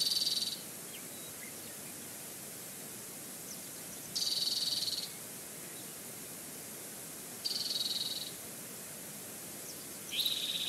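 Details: Bald eagles at a nest in Sauces Canyon with food on it, June 14, 2019, captured by a nest camera: four high, thin chittering trills, each under a second and spaced a few seconds apart, over steady wind hiss.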